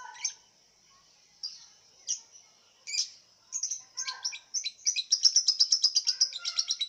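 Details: Caged lovebird entered in an online singing contest, from Singkawang, West Kalimantan. Scattered sharp chirps over a constant high whine speed up into a fast, rattling run of rapid repeated chirps in the last two seconds.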